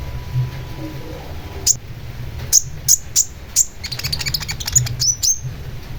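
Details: Long-tailed shrike (cendet) lure song meant to make birds answer: scattered, very high, piercing chips, a brief tight cluster of high notes near the middle, then a few more sharp upslurred chips against a low background hum.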